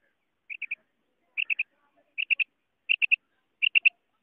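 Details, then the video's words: Female quail calling: quick triplets of short, high, clipped notes, each group of three repeated about once a second, five groups in all over a quiet, clean background. "Maadi Batair New Awaz ( Female quail sound) مادی کی آواز"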